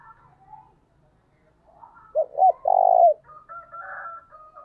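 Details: Early-morning lure coo of a spotted dove in the local 'thổ đồng' style: two short low notes then a longer buzzy coo, with faint higher whistled calls of other birds before and after.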